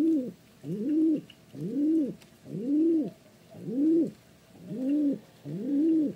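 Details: Pigeon cooing seven times in about six seconds. The soft, low, arching hoots come in a regular, almost metronomic rhythm with brief pauses between them.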